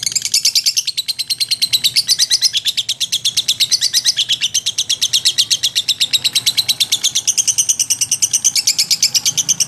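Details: Lovebird in full ngekek, a long, unbroken, very high chattering trill of rapid, evenly pulsed notes that runs for nearly ten seconds with only slight shifts in pitch.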